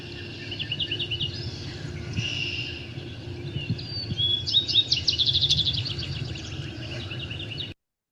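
Yellow-rumped Warbler giving strong, sharp chip notes in a quick series, with a Vesper Sparrow singing behind and a steady low rumble of background noise.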